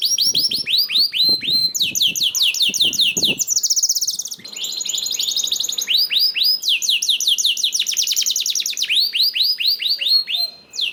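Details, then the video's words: Lure song of a canary, used to make other canaries sing: long run of rapid sweeping chirps, changing phrases with a short break near four seconds, plus soft low tapping early on. "PANCINGAN KENARI 1 MENIT MENDENGARKAN SUARA KENARI DIJAMIN KENARI IKUT BUNYI"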